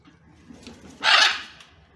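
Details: A single coarse, grating squawk from a wild blue-and-yellow macaw family feeding on banana with their head-bobbing young at breakfast, against a soft background murmur.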